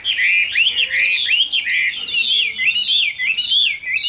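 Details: Loud, continuous song from a caged, wild-caught adult Chinese hwamei: looping whistled notes swinging up and down in quick succession, full and melodious with hardly a break.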